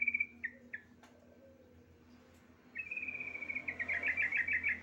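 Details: Female Javan myna calling a male: clear whistled notes, a short falling trio, then a long sustained whistle breaking into rapid warbling chatter, over low steady hum.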